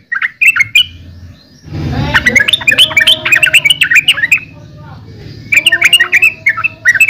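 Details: Yellow-vented bulbul singing bubbly, warbled phrases of short rising and falling notes, with a brief burst of low rustling noise mid-way.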